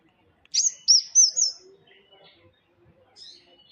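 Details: Vigorously singing tame bird gives a bright phrase of four loud, high, slurred whistled notes in quick succession, followed by faint twittering and one last thin chirp.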